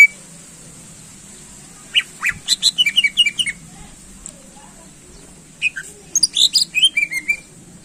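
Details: Greater green leafbird, a contest bird, in energetic song meant to excite rival birds: two bursts of sharp high chirps and quick descending whistled notes separated by a pause, over a steady high hiss.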